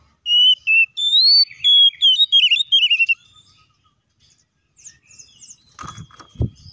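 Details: Provocation song of an oriental magpie-robin (kacer): a rapid series of loud whistled notes, level then wavering and descending, followed by silence and a few sharp clicks and knocks.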